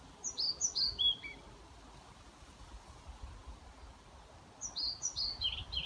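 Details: European pied flycatcher singing at a care home in Haga, Sundsvall, Sweden, on 29 May 2018: two short phrases of sharp, high, ringing notes stepping downward, separated by a few seconds of quiet with faint low background rumble.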